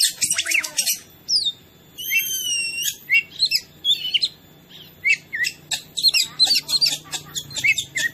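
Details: Kacer, or oriental magpie-robin, in a training recording to provoke other birds: a rapid, varied stream of high whistles, rattling notes and sweeping slurs, dense and nearly continuous.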